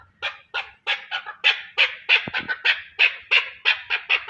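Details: Chukar partridge in Pakistan calling loudly with evenly spaced, raspy chuck notes, about three a second, building in strength through the series. A single sharp click midway.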